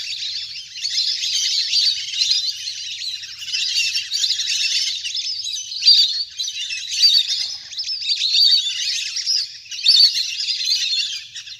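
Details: Large wild flock of ducks playing on the water, recorded in nature for use as a lure to call birds down; a dense, continuous chorus of high, thin whistled chirps and twitters overlapping throughout, swelling and easing in waves.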